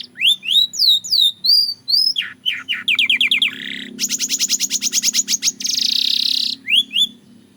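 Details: Varied Belgian canary song: slurred looping whistles, quick chirp runs, a long fast rattling trill and a harsh buzzy roll, closing with a couple of rising notes.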